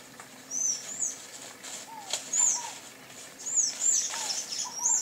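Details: Bright, high, squeaky slurred notes of a sayaca tanager come in bursts, loudest near the middle and end, with soft lower falling whistles from another bird now and then.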